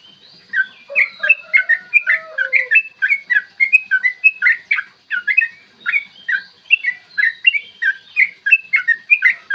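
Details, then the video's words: Rapid, long fighting song of a yellow-vented bulbul, recorded in the morning to provoke other bulbuls to sing: dense, jumbled liquid whistles poured out without a break, with a lower sliding whistle audible early on. "trucukan gacor TARUNG ROPEL PANJANG pancingan trucukan agar BUNYI dan EMOSI"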